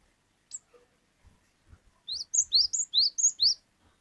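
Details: Cinereous tit, called glatik batu, in ngeplong wucit wucit song: clear high rising whistled notes repeated rapidly about twice a second in a steady series, preceded by a few soft ticks and low taps.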